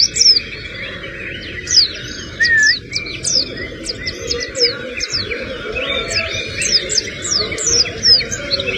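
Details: Singing white-eye with a sogon-filled song: rapid high chirped notes and quick downward-slurred twitters, punctuated by a lower warbled phrase, delivered in lively bursts above a constant low rumble.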